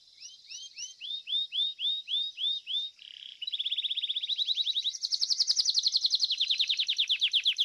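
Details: Domestic Belgian canary competing in song: evenly spaced upward-curving whistles about three per second, then a dense, fast rolling trill that grows louder and continues to the end.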